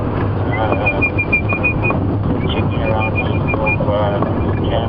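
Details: An Orange-breasted Bush-shrike in late-afternoon October near drainage lines and dry riverbeds on safari gives two quick runs of about eight clear, evenly spaced whistled notes, over a low vehicle engine rumble and people talking.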